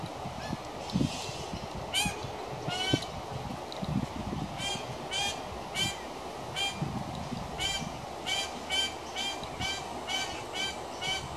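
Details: A young pied currawong hanging around a house gives short, harsh, nasal squawks, about one a second, often in quick pairs, over a steady low rumble of background noise.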